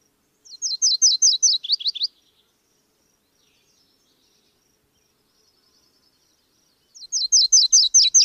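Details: Subalpine warbler (Sylvia cantillans), song.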